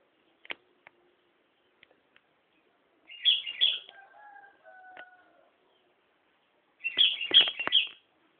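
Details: At Nambangan a Sooty-headed bulbul delivers two short bubbly phrases several seconds apart, each a cluster of three or four chirpy, liquid notes, with a few faint clicks and a distant drawn-out crowing in between.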